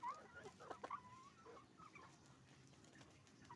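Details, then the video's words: Hens and roosters at a chicken farm, a loud nearby cackle and a burst of squawks in the first second, then quieter scattered clucks from the flock. "Moment of the sound of a chicken farm, roosters and hens making noise"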